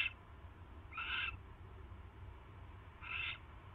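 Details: Two brief breathy screeches about two seconds apart from a barn owl at the nest on the night of 22 January 2016, as a mouse arrives, with a low humming background.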